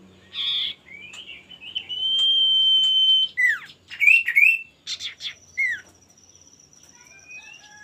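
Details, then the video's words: Male common iora singing, a song used to draw rivals into singing. A short buzzy burst, then a long level whistle, followed by sharp hooked whistled notes and a faint thin high tone. "pancingan burung sirtu/cipoh gacor jantan bikin lawan ikutan gacor"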